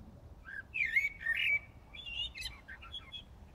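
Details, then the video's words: A common blackbird sings in the dark early morning of 15 January 2018 in Brussels, Belgium, delivering a loud warbled phrase followed by softer chuckling and high squeaky notes, with low city hum beneath. "Blackbird Singing in the Dead of Night"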